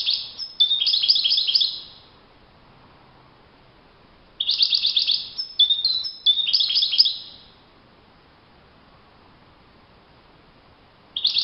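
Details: Wild European goldfinch singing in open country: repeated high, jangling twitter phrases of fast notes and thin whistles, with quiet gaps of a few seconds between bursts.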